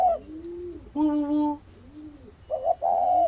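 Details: Spotted dove calling after seeing its mate; a low hoarse coo, then a longer steady nasal hum, a soft coo, and two loud harsh nasal bursts at the end.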